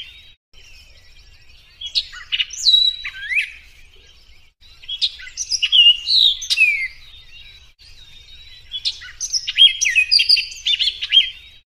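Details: Orchard oriole in a clear recording, giving three hurried phrases of tumbling, slurred whistles and sharp chips, each lasting about two seconds and separated by short quiet gaps.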